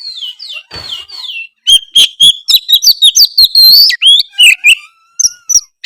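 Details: Loud song of a white-rumped shama kept in a cage, used to prompt a quiet shama to answer: opening downslurred whistles, then a fast run of sharp clicks, chips and warbled whistles with a fading thin whistle near the end.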